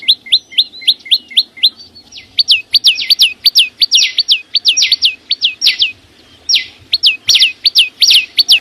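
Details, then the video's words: Chim sâu xanh song beginning as quick rising whistled notes, then becoming louder, longer swooping upslurs mixed with sharp high ticks, uneven in spacing, with brief pauses and a soft low hum behind. "ssuab no9ó txeeev quaj zô heec tiếng chim sâu xanh hót chuẩn"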